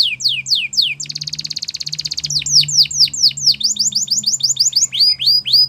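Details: Belgian canary singing for canary song training: sweeping chirps, then a fast rattling roll, followed by repeated downward-swept and rising whistled notes, with a steady low hum in the background.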